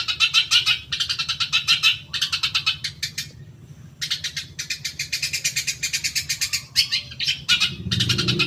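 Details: Long-tailed shrike song used as a lure so that caged shrikes answer quickly; grating notes stream in fast, regular runs, broken by one short silence, with a low rumble near the end.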